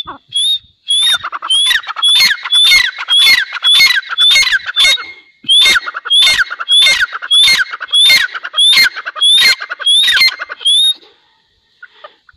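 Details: Grey francolin pair giving a long run of loud, strident calls. Each has a sharp upslurred whistle above grating, clicking notes, repeated roughly every 0.6 seconds. There is a brief pause near five seconds, then the series continues and fades to quiet.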